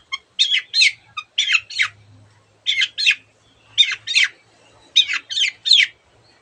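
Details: Long-tailed shrike giving harsh, grating squawks in pairs and triplets, separated by short pauses, from a tutor recording for birds that are reluctant to sing; a faint low hum runs underneath.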